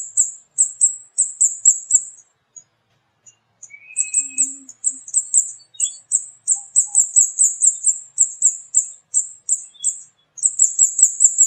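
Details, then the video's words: Flowerpecker, locally called burung kemade or burung cabai, a loud-voiced small songbird of rural mango trees; long runs of piercing high 'cit' ticks, a brief pause near two seconds, then rapid bursts resuming, with faint minor sounds in the background. "Burung Kemade Gacor Cit Cit || Pancingan Burung Cabai Gacor"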